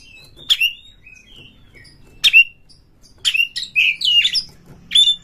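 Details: Kacer, the Oriental magpie-robin, in energetic song played to provoke a rival. Sharp downslurred notes, then a run of rich warbled and whistled phrases near the end.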